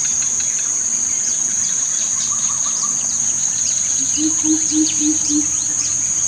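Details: Greater coucal giving a short run of five deep, hollow hoots in even succession near the end, under a constant shrill insect drone and scattered thin chirps of small birds.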